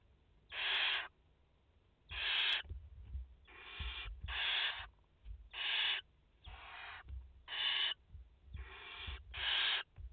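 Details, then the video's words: Nest of barn owls in France, mother with four young, 30/08/2021: nine short wheezy hisses at uneven intervals of about a second, alternating louder and softer voices, with light tapping sounds. "Chouettes effraies en direct - Płomykówki - Mama i 4 pisklęta"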